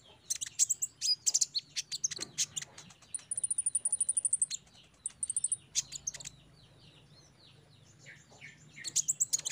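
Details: Lively olive-backed sunbird song meant to set caged birds singing, made of rapid crowded high chips, a steady very high ticking trill, fainter scratchy notes, and a final bright burst.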